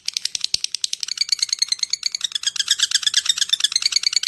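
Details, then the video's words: Lovebird in a 'ngetik' typing-style chatter meant to draw other lovebirds: fast, shrill clicking notes that quicken and thicken into an unbroken rattling stream. "SUARA LOVE BIRD ( LABET ) NGETIK, NGEKEK PANJANG AMPUH UNTUK MEMANCING LABET YANG LAIN"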